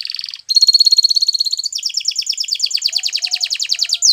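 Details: Song of a Belgian canary: a brief trill, a short pause, then a long even rattling trill of rapid high pulses that changes tone midway and ends with a swept note.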